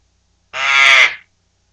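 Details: Pet male Eclectus Parrot, three months two weeks and one day old, screeching indoors after being asked to say hi: one harsh, raspy, rich-toned screech lasting under a second, with silence before and after.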